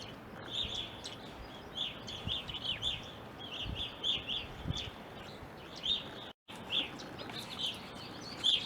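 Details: Evening grosbeaks in an Ohio backyard, where they are uncommon, present from winter 2020 into April 2021. Short ringing chirps come in an irregular series of overlapping notes, with a low steady rumble beneath.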